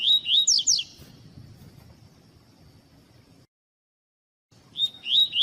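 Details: Double-collared seedeater, tui-tui song used to train and warm up captive tournament birds: a phrase of high whistled and downward-slurred notes, a quiet pause with a brief total silence, then the phrase starting again.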